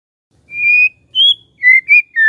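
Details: Magpie-robin lure song to make a silent bird reply: five pure, clear whistled notes at different pitches, separated by short pauses.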